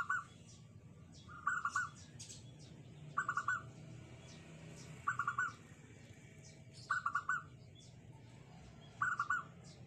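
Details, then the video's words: Local perkutut, or zebra dove, singing in a small, tight, unique voice: six short rolling coo phrases of three to four quick notes, repeated about every 1.8 seconds, with light clicks and low hum behind. "suara unik kecil sepet rapet dan gacor"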